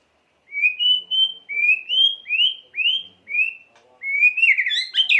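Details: Loud whistled White-rumped shama song meant to stir emotion, a series of clear rising slurred whistles about every half second, ending in a fast jumbled flourish of high notes.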